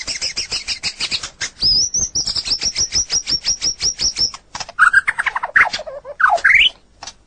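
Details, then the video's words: White-rumped shama training recording for other birds: long high rapid trill of repeated notes, then lower buzzy chattering notes and a swooping rising whistle. "Masteran burung murai batu durasi panjang burung gacor owor owor"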